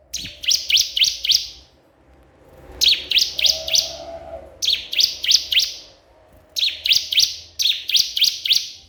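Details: A bar-winged prinia calling a rival gives fast rattling series of five or six sharp, high chirps per burst, the bursts repeated every couple of seconds, over faint low hum.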